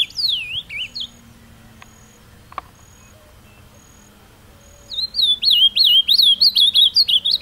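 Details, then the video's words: Ultramarine grosbeak, a caged songbird taken to a pretty outdoor site, performing carapuça song: a falling swooped note ends one phrase, a quiet gap with soft clicks follows, then a loud two-and-a-half-second sequence of rapid, bouncing whistled notes. "Azulão Carapuça"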